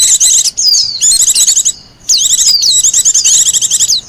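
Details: Song of a wild Japanese white-eye used as lure and master recording: very high, fast chattering warble of looping whistled notes in long bursts separated by a brief quiet break.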